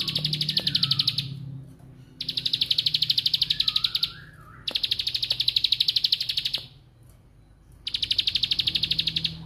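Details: Bar-winged prinia (Prinia familiaris) giving its "bren" song: four high, rapid buzzy trills, each about a second and a half long, separated by short pauses; a faint low hum runs beneath.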